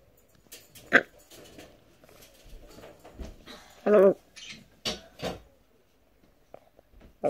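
A macaw gives a few short, harsh, nasal squawks and voice-like bursts, spaced irregularly over several seconds in a quiet indoor room.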